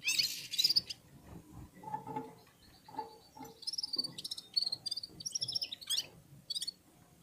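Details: Red-fronted serins singing in unison while warming up, joined by other birds: a sharp high buzzy burst at the start, then a run of fine, rapid twittering and tinkling notes growing busier toward the end.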